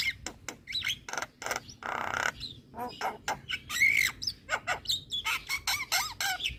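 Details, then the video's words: Javan myna song for luring and therapy during moult: rapid series of clicks and rasping notes, a long harsh buzz, and a clear whistled slur, steady busy rhythm throughout. "Kicauan Jalak Kebo Full Manggut2 Buat Pancingan Dan Terapi Jalak Mabung"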